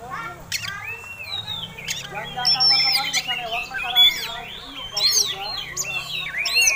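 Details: Competition-style fighting song of an Oriental magpie-robin meant to rouse other birds: rich warbled phrases of whistles and harsher buzzy notes, growing louder partway through, over a faint hum.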